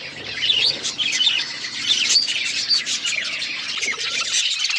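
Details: Several pet budgerigars chirping while feeding on seeds; rapid bright warbled chirps run without a break, some sliding notes standing out.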